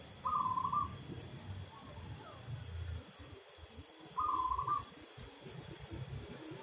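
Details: Two rapid, purring trilled phrases from a local zebra dove, about four seconds apart, each soft and level in pitch, over low rumbling background noise.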